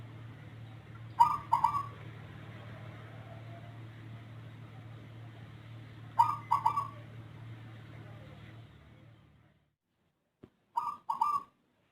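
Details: Captive zebra dove with an unusual voice, unlike local or Bangkok-type birds, a diligent, long-calling singer. It gives three separate mellow cooing phrases about five seconds apart, each with a few quick notes, over a steady low hum that stops near the end.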